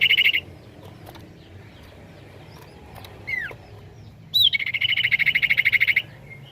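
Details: Common iora song intended to stimulate replies from other ioras: the tail of a fast trill, a quiet pause, a falling whistled slur, then a rising whistle running into a long, rapid, buzzy pulsed trill.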